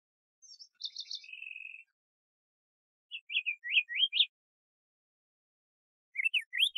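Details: Stuttered buzzy notes and a short dry trill from a Diademed tanager, then a phrase of five rising whistled notes, and a further burst of whistles at the end.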